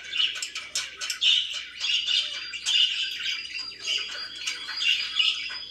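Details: Budgies kept as pets chattering continuously: rapid scratchy chirps and brief squawks layered together, with a faint steady high whine running through the background.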